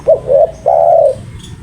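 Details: Spotted dove cooing loudly: a short note, a slightly longer one, then a drawn-out low coo, over a background hum.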